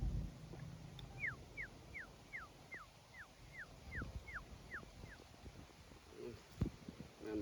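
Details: Quail, with a decoy quail used to lure other quail, gives a quick run of about ten thin whistles. Each note slides downward, spaced roughly a third of a second apart. A few clicks and knocks follow afterward.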